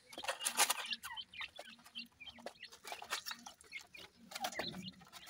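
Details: A brood of young grey francolins chirping: dense, sharp peeps and clipped chips overlapping one another, coming in loud bursts then softer scattered notes over about five seconds.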